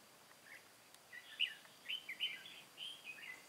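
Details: Red-whiskered bulbul kept as a trapping decoy, Cao Phong, 23 August 2018, giving a short run of clear whistled notes, some rising and falling, in a brief phrase after a quiet start.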